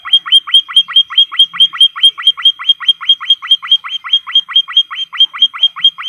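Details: White-headed munia in a training recording for caged birds, repeating loud, hooked chirps in a fast, fairly regular series for six seconds. The background is otherwise nearly silent.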